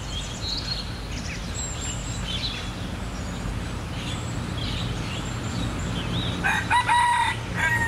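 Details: At Bishan Park, Singapore, red junglefowl give scattered clucks, then a harsh, strained crow-like call near the end, over steady low rumble and faint chirps from other birds.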